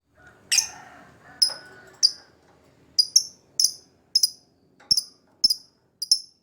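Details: Captive lovebird, a lure recording meant to prompt birds that are reluctant to sing: shrill, high, clipped chirps, singly and in quick doubles, spaced irregularly about half a second apart after a faint rustle at the start.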